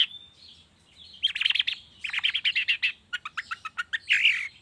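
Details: Long-tailed shrike lure sound used in the morning to prompt shrikes to sing: after a thin whistle and soft notes, bursts of harsh, buzzy chattering notes come in quick rhythmic series, then sharper clipped notes and a final rasp.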